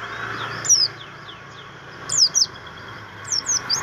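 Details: Sparse high down-slurred whistles from a kept Javan grey-throated white-eye, its training-material song, with faint softer notes between three louder bursts.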